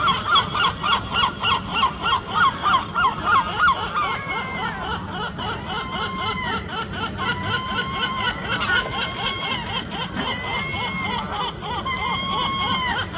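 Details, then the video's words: A pair of gulls, a herring gull and a lesser black-backed gull, call at the edge of the Serpentine by the island: a quick run of harsh, pulsing notes, then longer nasal yelping mews rising and falling, calling back and forth. "gull couple calling"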